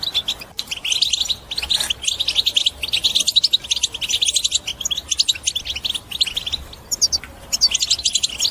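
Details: European goldfinch song in the twittering style called batbata, played to encourage other birds to sing and break their silence: dense, rapid high twittering and buzzy trills in continuous bursts, with brief pauses near two and seven seconds.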